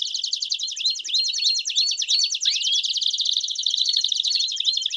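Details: Several Belgian canaries in chorus, used to prompt a canary to sing: steady dense high trilling overlaid with repeated short rising whistled sweeps.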